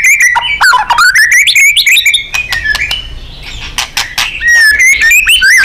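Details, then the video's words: Loud 'gacor' song of a white-rumped shama (murai batu), recorded to train contest birds: dense rising whistles and chirps, a quieter middle stretch, then bright wavering whistled phrases. "Murai GACOR & NEMBAK ...FULL POWER & FIGHTER"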